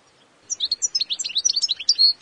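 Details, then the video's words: Goldfinch singing a fast, liquid twitter of high chirps and short trills, ending on a clear sustained whistle, in a quiet setting. "Mühteşem Saka Kuşu Sesi صوت طائر الحسون العظيم Great Goldfinch Sound Grand son de chardonneret"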